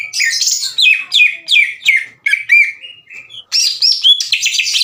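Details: Caged greater green leafbird delivering a loud, harsh fighting challenge to another leafbird: repeated sweeping slurred whistles with rough overtones, a brief softer lull, then a burst of dense buzzy chatter.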